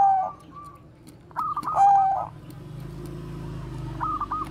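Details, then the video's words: Bangkok zebra dove koar-koar cooing used to lure other doves: short clear whistled notes and a rolling stuttered trill phrase, then a quieter stretch with a low hum and a faint final trill. "perkutut BANGKOK BEKUR KOAR-KOAR bagus untuk PANCINGAN PERKUTUT"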